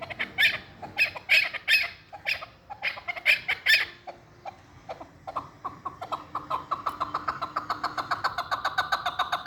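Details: Hunting chukar partridge. It gives a series of sharp, clucking chuck notes in uneven bursts, then a faster, steadier run of repeated calls building toward the end.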